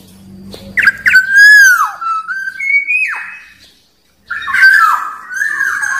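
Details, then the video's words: Wild black-naped oriole uttering loud fluted whistles as a lure for rival birds: a swooping note, a flat whistle, then a higher one that falls steeply. After a second of silence a final whistled phrase follows. "Suara Burung Kepodang liar Paling Ampuh Memanggil lawan"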